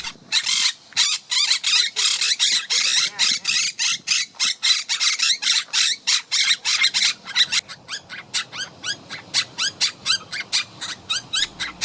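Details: A wild monk parakeet pair in mating season, nesting and preening, give loud, harsh squawks in rapid, uneven bursts, several calls each second.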